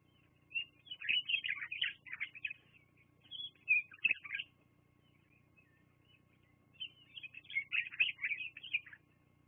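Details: Bald eagles at their nest at Fraser Point, recorded on a live nest camera on 24 September 2022 around 12:14; two bursts of high, thin chirping chatter with rapid twittering notes, separated by a quiet pause.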